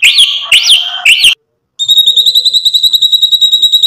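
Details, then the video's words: Lure song of a white-rumped shama, played to make other birds sing back: three looping whistled phrases rising and falling, a brief pause, then a fast, steady, high-pitched rattle of repeated notes. "MURAI BATU GACOR bikin EMOSI ampuh buat PANCINGAN biar NYAUT BUNYI BONGKAR MATERI ISIAN"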